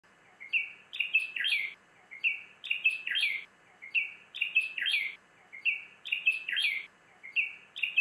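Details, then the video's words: Himalayan (white-cheeked) bulbul (Pycnonotus leucogenys) repeats a short, bubbly, whistled phrase about every second and a half, mid-high and slightly rising, with a faint hum behind. "Himalayan bulbul |Birds Sounds | white-cheeked bulbul"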